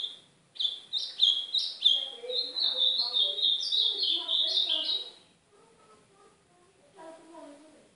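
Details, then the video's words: Northeastern ultramarine grosbeak song used for training a caged young bird: a long run of rapid, varied high whistled notes stepping up and down for about five seconds, with fainter lower tones beneath and a quiet murmur afterward. "Esquentar meu golinha canto do AZULÃO DO NORDESTE!!!"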